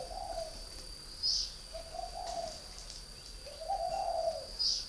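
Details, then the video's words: Caged spotted dove from northern Vietnam, kept as a decoy for three years, uttering three gentle, hollow coo phrases with pauses between, accompanied by a couple of sharp high chirps and a thin constant whine. "chim cu gáy hay miền bắc"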